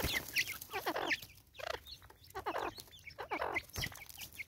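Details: Angry female Natal spurfowl in South Africa, 2024, calling with rapid rasping notes and shrill squeaks, several harsh bursts packed close together.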